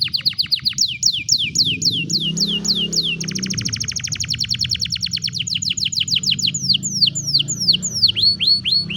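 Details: Canary singing into a cellphone: rapid series of descending chirps and fine quick trills run continuously over a steady low background hum or murmur.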